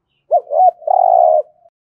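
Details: Spotted dove giving one 'gù thổ' style coo meant to stimulate cooing: two quick arched notes running into a long, buzzy, steady coo lasting about half a second.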